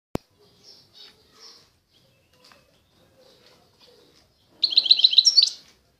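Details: European goldfinch of the Constantine type from eastern Algeria, singing: after quiet scattered chirps, a second-long burst of rapid, high tinkling trilled notes near the end, preceded by a sharp click.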